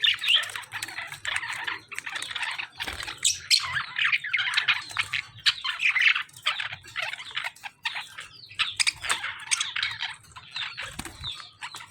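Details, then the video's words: Lovebirds fighting with budgerigars: shrill, harsh squawks and scratchy chatter pour out in dense bursts with brief pauses, while sharper chirps from other birds overlap throughout. "Lovebirds fighting with budgies"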